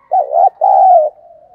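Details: A spotted dove pushed to coo quickly ahead of a fight utters one rich low coo phrase: a short bent note, then a longer steady hoot that trails into quiet humming.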